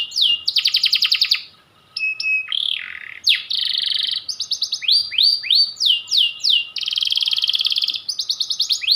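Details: Insistent long-phrased song of a white panda canary: fast rattling trills, a looping swoop, sustained buzzy rolls and bursts of upslurred whistles in rapid succession.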